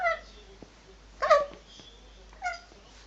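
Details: Oski, a male eclectus parrot, in a quiet indoor room gives three short, harmonic-rich, voice-like bursts about a second apart, mimicking words such as "crazy" while dancing.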